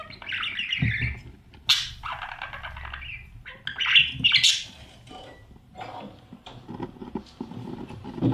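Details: Budgerigar chicks inside a nest box at a breeding setup, fed by their parents. Harsh, raspy, wheezing calls in broken bursts, with scratchy movement and rustling.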